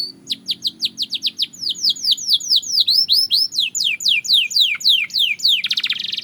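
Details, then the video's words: Belgian canary for singing practice delivers an accelerating series of high downslurred whistles, becoming louder and more rapid, ending in a dense buzzy trill. "The Melody That Turns Any Canary Into a Singing Star!"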